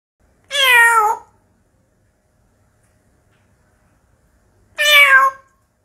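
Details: African grey parrot imitating a cat, giving two clear, cat-like meows about four seconds apart. Each meow is a rich, harmonic wail that slides gently downward, set against a quiet indoor background.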